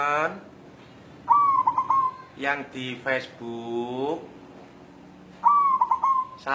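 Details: White zebra dove of local wild stock, restless and seeking a mate, gives two ringing coo phrases, each a bright opening note followed by a few rapid rolled notes; a person talks between the phrases.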